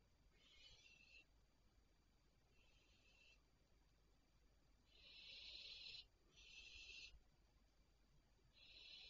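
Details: Barn owls calling at night at 01:26 on 3 July 2023: faint, harsh, breathy hissing bursts of about a second each, repeated at irregular intervals of one to two seconds, over a quiet background.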